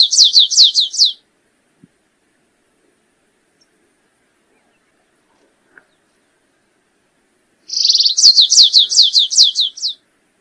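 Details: Two song phrases of the stripe-tailed yellow-finch, separated by silence: each a rapid string of high, descending slurred notes, the second introduced by a brief buzzy trill.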